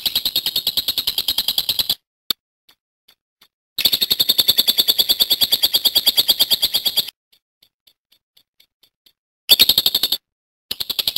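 A lovebird gives long, shrill, rapidly pulsed chattering trills lasting up to three seconds, separated by short silences with faint ticking notes.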